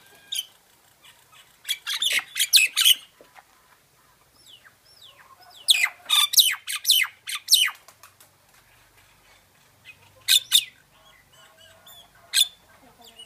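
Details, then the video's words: Myna singing a jumbled sequence of harsh squawks, chatters and clicks in irregular bursts, with loud clusters near two and six seconds and isolated calls later. "myna bird song / myna bird sound /mynah bird singing"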